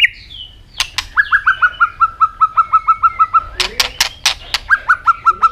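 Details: Steady series of about fifteen short, clear notes at one pitch from a singing robin in Asia, broken by loud sharp clicks, then resumed for a few more notes.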